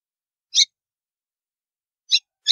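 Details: White-throated seedeater (Sporophila albogularis) gives a snapping song of three sharp, high notes: one, a pause of about a second and a half, then two close together; it is played to stimulate other birds to sing.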